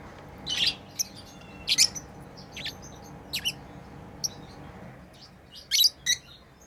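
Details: Playing pet lovebirds make quick high-pitched chirps and squeaks, some in doubled pairs, spaced irregularly across the recording, with low background hum throughout.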